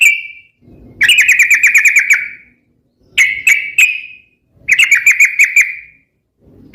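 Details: Sooty-headed bulbul in lively song, used as a lure and for training other birds. Loud bubbling trilled phrases of rapidly repeated notes come in three bursts, separated by short silences.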